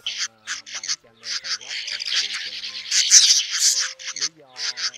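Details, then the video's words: Male and female swiftlets calling the flock to roost, used as a lure recording: rapid clusters of harsh, high chirps merge into a dense twittering chorus midway, then break into short separate bursts. "Tiếng Én Mốc , Nhạn Nâu Xám Gọi Bầy Ru Ngủ Lùm , Trống Mái Kêu Chuẩn Nhất"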